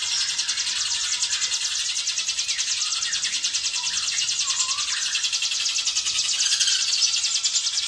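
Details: Hill prinia in rapid 'ngebren' singing, used as a master recording to stimulate other birds. Continuous high, buzzing pulses run steadily throughout. Lower, slurred chirps from other calls are scattered through the middle.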